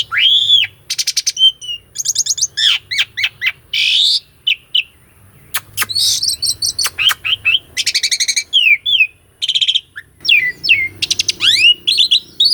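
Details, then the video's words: Asian pied starling singing a full-variation master song with rolling and pumping fills, recorded live: fast medley of whistled upsweeps, rattling trills, sharp clicks and chirps with barely any pauses. "KICAUAN BURUNG JALAK SUREN UNTUK MASTERAN JALAK MACET"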